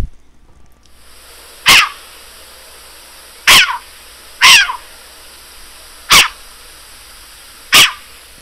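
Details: A Short-eared Owl (Asio flammeus) gives five harsh, hoarse barks. Each is a brief rasping burst, spaced about one to two seconds apart, over a faint steady hiss.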